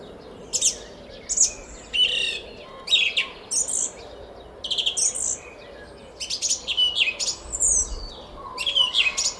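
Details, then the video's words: In a garden at Szalkszentmárton, Hungary, at 06:15 on 10 April 2021, a song thrush sings steady high phrases of whistles and rasping notes, each burst brief and repeated with short pauses throughout. "ÉNEKES RIGÓ TRILLÁZIK A KERTÜNKBEN!"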